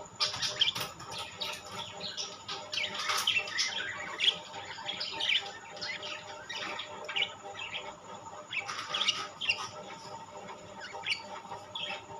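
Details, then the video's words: Budgerigars of rainbow and classic varieties kept together, giving a dense stream of short, high chirps and scratchy twitters that come in bursts, with several birds calling over one another. "বাজরিগার পাখি"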